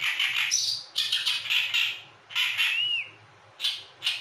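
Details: Oriental reed warbler song made of loud, harsh, grating chattering phrases in bursts about a second long, with pauses between them and one clear slurred whistle rising then dropping near the middle.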